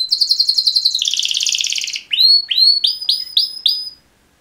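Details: Two male canaries in mating song: a quick chattering trill turning into a dense, rolling buzz, followed by five clear upward-swept whistles spaced evenly, then silence.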